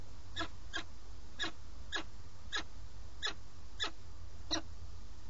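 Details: Peregrine falcon, male feeding at the nest, live webcam in Alcalá de Henares, Madrid, Spain, 8 March 2017; eight clear ringing chips, mostly in pairs, repeated about every half second, over a low steady hum.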